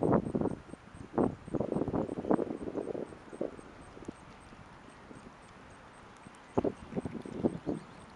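Wood stork giving harsh, rasping bursts in quick clusters, then a pause of a few seconds before another rattling run; faint rustling underneath.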